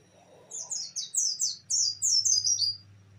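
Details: An Oriental white-eye (Zosterops palpebrosus) pours out a rapid run of about ten high, thin, down-slurred notes in two seconds over a faint low hum; a song used to prompt reluctant white-eyes to sing.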